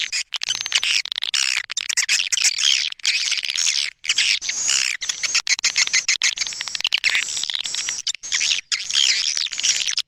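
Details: Edible-nest swiftlet sound called A Leyung, used to lure swiftlets: continuous high chattering twitters with sweeping chirps and only a few brief dips.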